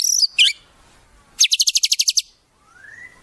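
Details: Shama song with wild-bird fills: two short high notes, a fast rattling series of about ten pulses, then a soft, slowly rising whistle.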